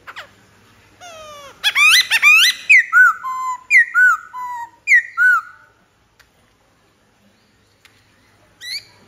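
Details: Black-throated laughingthrush singing: a loud run of rich whistled phrases, with rising and falling slurred notes repeated several times, then a pause and a brief final whistle.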